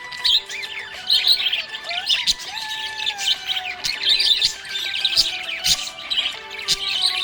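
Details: Cheerful budgerigar chirping: continuous scratchy warbles, quick twitters and sharp clicks in uneven bursts, accompanied by music with sustained notes.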